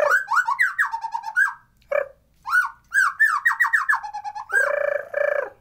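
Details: White-rumped shama song, used as a lure to stir lazy birds into song and breeding condition, recorded without effects: rich, slurred whistled phrases sliding down and up, a short pause, then more quick slurs ending in two fuller, harmonic notes.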